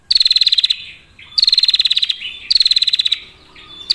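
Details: Clear trilling from a female prinia, used to draw other prinias: three quick bursts of sharp, rapidly repeated ticks, each followed by a pause with faint twitters.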